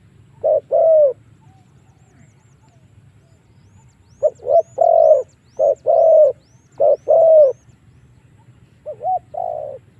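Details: Lure calls of a spotted dove meant to draw wild doves into fighting; bursts of paired mellow coos separated by a three-second pause, faint high chirps and a low hum in the background.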